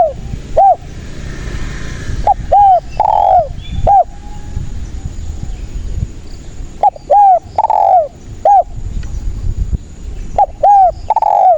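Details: Spotted dove singing persistently, used as a lure for trapping: repeated phrases of quick paired coos and a drawn-out falling croo, several cycles over a low rumbling background.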